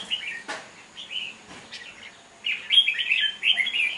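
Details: A caged, wild-caught Red-whiskered bulbul competes in a singing contest, recorded 5 November 2023. Short chirps and a few clicks give way to a loud burst of rapid, bubbling whistled notes.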